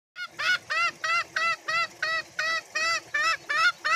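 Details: Green junglefowl giving its cackling call to summon companions, a call other green junglefowl usually answer: a fast run of harsh, nasal notes, about three a second, each slightly arched and ringing, with no other sounds.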